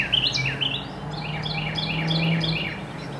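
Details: Late-afternoon Carolina wren song: a few loud sweeping notes, then a fast run of repeated chirping phrases, backed by a steady low mechanical hum.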